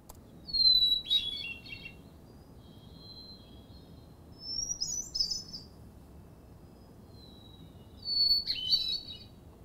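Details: Hermit thrush song played back from a library recording, three separate clear, fluted phrases, each opening on a pure held whistle and breaking into a brief ringing flourish, spaced by pauses of a few seconds over a quiet background.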